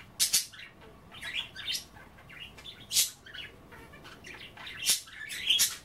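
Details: Pet budgerigars chattering while nibbling kale in water at bath time: soft warbled chatter in the 2–4k range, broken by sharp high chirps and clicks at irregular intervals, indoors.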